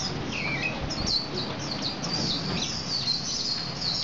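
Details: Male Javan white-eye singing energetically: a short warbled phrase followed by a string of high, thin chirps and twitters, steady low hum underneath.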